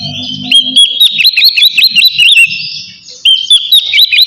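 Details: Oriental magpie-robin in ngeplong song calling out a rival, used to lure birds into singing: a fast series of repeated rising whistled notes, a short pause, then the series resumes.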